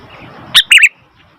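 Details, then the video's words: Brief noisy call of a sooty-headed bulbul: a sharp high chip followed by a slurred, bubbly two-part note, then silence. "Suara Burung Kutilang ribut"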